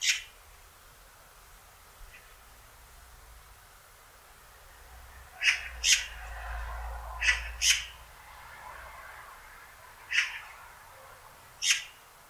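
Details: Young Eurasian magpie chattering: a few scattered harsh, rasping broadband calls, some in quick pairs, with a softer rough murmur between them and a low rumble in the background.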